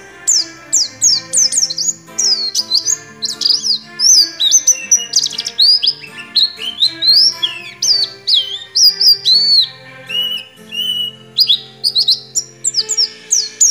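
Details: Oriental white-eye singing in the ngecrok style, its song filled with white-rumped shama phrases: rapid high, sharp chirps and whistled slurs, some falling, some rising, in quick bursts over faint low music-like tones.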